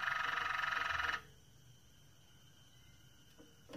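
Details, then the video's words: Moroccan Malinois canary gives a loud, dense pulsed roll lasting about one second, which stops abruptly, leaving quiet room sound with a few faint knocks. "تغريد جميل لكناري مالينوا مغربي"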